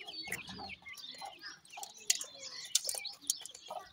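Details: Feeding francolin chicks give dense high twittering peeps, about ninety a minute, irregular and overlapping, with sharp clicks and knocks scattered among them.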